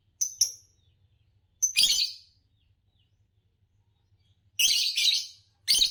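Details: Fischer's lovebird, green colour form, a type noted in Indonesia for long songs and competition wins; a clipped bright chirp, then long grating, chattering bursts separated by quiet pauses.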